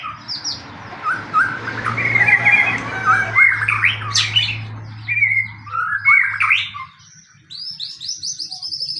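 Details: Fighting-type white-rumped shama song played as bait to make other shamas sing: sharp squawky notes and quick rising slurred whistles over a steady low hum, then a series of high repeated chips.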